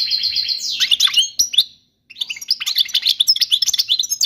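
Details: A European goldfinch sings a training song for young birds: a sustained whistled note opens into a tumbling twitter, a short silence, then lively chattering phrases of tinkling, buzzy notes.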